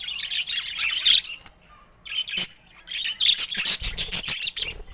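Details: Pet budgerigars of varied colour mutations, busy chirping chatter: bursts of fast, scratchy warbled chirps high in pitch, pausing briefly between rapid runs of clicks and tweets.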